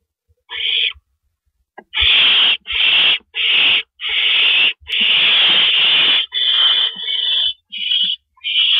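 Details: Owls at a nest at night, around 4:30 AM on April 4, 2012, as adults carry rabbits in and out; long harsh hissing screeches, about eight bursts in a row, some drawn out, with brief silent gaps between them.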